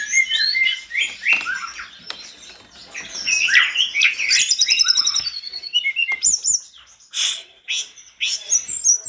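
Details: Mountain tledekan singing vigorously, prompting other tledekans to respond: a dense, fast jumble of high chirps, sweeping whistles and short trills. Bursts repeat several times a second, with brief pauses near two and six seconds.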